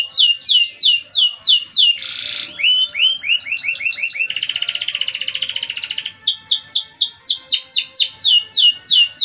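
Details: Canary singing in the lively 'gacor' manner with a 'cengkok mewah' (luxurious melodic style) song: bright falling whistles about three per second, a harsh buzzy burst, rising slurred notes, a long rapid rattling trill, then falling whistles again.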